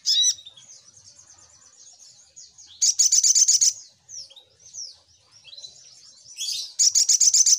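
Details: Little spiderhunter lure song: high twittering chirps break into loud, rapid series of piercing repeated notes, about four per second, with quieter rising whistles between the bursts.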